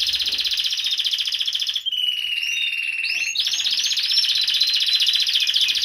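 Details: Canary rolling song used as master song for other birds, with a continuous loud trill broken by a smoother sustained note and short sweeping whistles before the rapid trilling returns.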